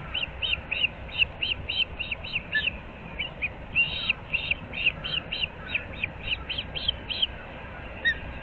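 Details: At Moorings Park in Naples, Florida, an osprey at the nest gives a long, steady string of about twenty piercing, whistled chirps over seven seconds, early morning on 15 April 2024, with faint background hiss.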